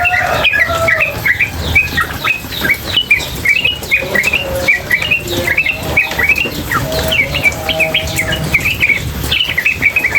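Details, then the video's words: Female trucukan, the sooty-headed bulbul, calling without pause. A dense stream of quick, sharp chips overlaps with lower drawn-out whistles, with a background of water and hiss. "Trucukan Gacor BETINA Masteran trucukan betina dan suara air"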